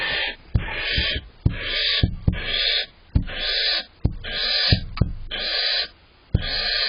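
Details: Barn owls at dawn, 5 April 2023, male learning to bring prey to the female several times in an hour. Rhythmic harsh hissing bursts repeat roughly every half second to second, separated by sharp clicks and brief silences.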